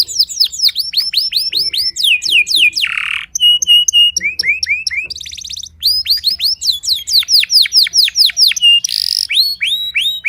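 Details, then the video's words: Early morning training song of a Timbrado canary: long run of varied tours, repeated descending whistles, short harsh buzzes, steady flat whistled notes and quick rolling trills, all loud and clear with little background. "Canary Singing-Timbrado Thanh Yến Luyện Hót Sáng Sớm"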